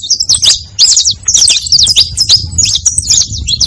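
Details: Saffron finch song used as a lure to attract others of its kind: rapid, high chirps and sharp slurred notes in quick bursts, with short pauses near one and three seconds, over a faint low rumble.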